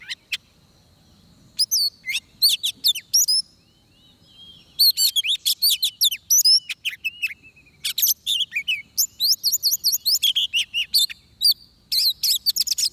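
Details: Oriental magpie-robin song recorded during trapping with a decoy bird: a faint start, then dense bursts of rapid whistled and chattering notes that grow steadier and run almost continuously to the end.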